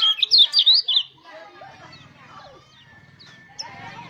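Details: Mountain white-eye song, a lure meant to get other white-eyes singing, in the rolling wild-style song. A loud burst of high, quick, twisting whistled notes for one second, then faint scattered chirps over a low hum.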